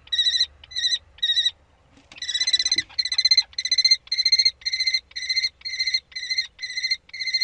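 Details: Common kestrels during prey transfer on 3 May 2013 in spring: a rapid series of harsh, buzzy, trilling bursts, each about half a second, repeated nearly twice per second, with a brief pause early on.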